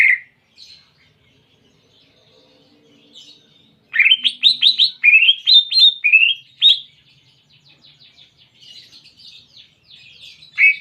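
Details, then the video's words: Greater green leafbird song with canary imitations. An isolated chirp is followed by quiet, then a loud three-second burst of rapid, sweeping whistles rising and falling. Softer twittering trails off, and a final chirp closes. "Masteran Cucak Ijo Isian Kenari Jernih"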